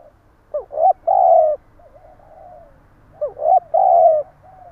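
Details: Spotted dove in stuttering gù cà lăm cooing: a short rising double note followed by a drawn-out low coo and faint trailing murmurs, the phrase heard twice, with a low hum beneath.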